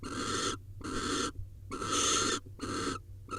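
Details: Barn owl at an Israeli nest-camera site during mating in 2021, giving loud rasping, hiss-like screeches in bursts of roughly half a second, separated by brief pauses.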